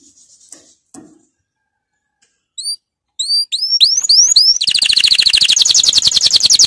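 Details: Canary training song that opens with near silence and faint scratches, then separate upswept whistled notes quicken into a fast, loud, buzzy high trill.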